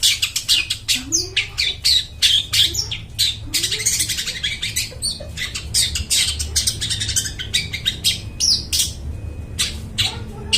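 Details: Long-tailed shrike singing loudly and clearly, used to lure wild birds in the forest: dense, rapid stream of scratchy, chattering and whistled notes with hardly any gaps, ending in a few spaced calls.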